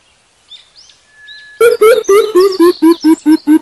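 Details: Greater coucal giving a loud run of deep, hollow booming notes, about nine at a steady quick pace, with faint twittering of other birds before and behind.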